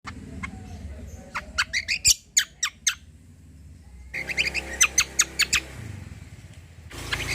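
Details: Javan grey-throated white-eye in full song, used to prompt other birds into singing: sharp bursts of high chirps in two volleys, separated by a quiet gap, over a steady low hum.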